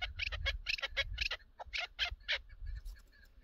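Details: Chukar partridge, recorded during a partridge hunt: a quick run of sharp, clucking chuk notes in clustered bursts, then a pause and a few more spaced notes, with low rumbling background noise.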